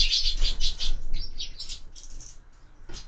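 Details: Sparrows feeding at window-mounted feeders, a quick run of loud high chirps followed by softer scattered calls, with a brief wing flutter.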